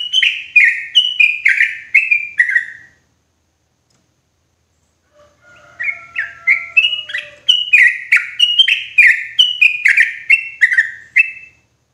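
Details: Yellow-vented bulbul calling loudly and clearly as a trapping lure for forest bulbuls: a fast string of liquid, slurred notes, a gap with faint drawn-out whistles, then a long rolling run of chirps.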